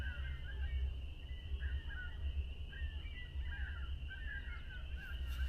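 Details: Several ring-billed gulls, identified by the Merlin app at Montezuma National Wildlife Refuge, New York, call in short, harsh mewing bursts as the sun returns after total solar eclipse, apparently disturbed; steady high whine and heavy low wind rumble.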